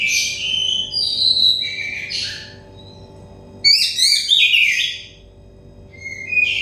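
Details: Clear whistled phrases from an Oriental magpie-robin, played to stressed, untrained birds to start them singing, with a quiet pause midway, then quick chirping notes and a final rising whistle over a soft hum.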